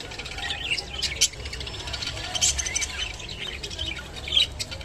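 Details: Rainbow budgerigar eating kolmi shak, a soft continuous high chatter with a few sharper chirps and a low background rumble.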